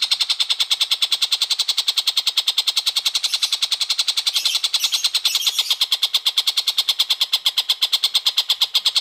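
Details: Long-tailed shrike chattering nonstop in a fast, harsh, even run of repeated notes, roughly three a second; a training recording meant for oriental magpie-robins.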